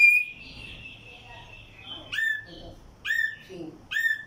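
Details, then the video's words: Tumba yegua from Barranquilla, Atlántico, Colombia: a long level whistle, then three loud high notes that drop into short downward-sliding whistles, spaced roughly a second apart. "Tumba Yegua cantando"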